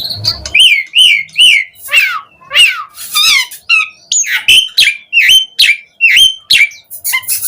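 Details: Asian pied starling singing as a lure for other starlings to reply: varied medley of whistles, harsh rasping slurs and downward-bending notes, delivered in rapid bursts about twice a second.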